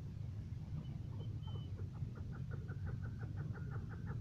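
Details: A first-cross maskati chukar partridge calls with a quickening series of short, clucking chuk notes that become steady and rhythmic. A heavy low rumble runs underneath.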